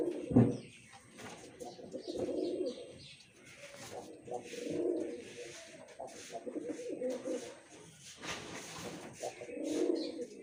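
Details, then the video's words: Pigeon cooing indoors: low, soft, rolling coos recur roughly every two to three seconds, with a sharper opening note, over a steady background hiss and scattered clicks and rustles. "Pigeon Sound Effect"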